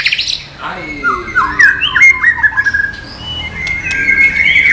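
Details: White-rumped shama singing in the non-bubbling training style: a sharp opening call, then warbled, swooping whistles and a long level whistle held near the close.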